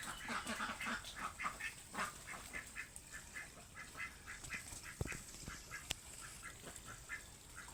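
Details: Plump chickens calling outdoors: a run of short, nasal, harmonic clucks repeated rapidly, about two each second, fading in strength toward the end, with a few sharp clicks and steady background hiss.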